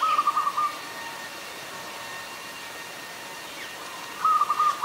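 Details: Adult zebra dove recorded in Ubon Ratchathani, Thailand, on 24 February 2022: a short stuttering run of soft, rapid cooing notes opens the recording. After a quiet gap, a second similar run follows at the end.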